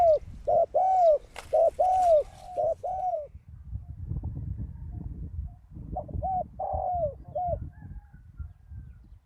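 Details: Spotted dove used as a ground decoy after a storm, its deep wild-type voice giving a series of low, hollow, arching coos in quick clusters, a pause, then another shorter group, over soft low rumbling background.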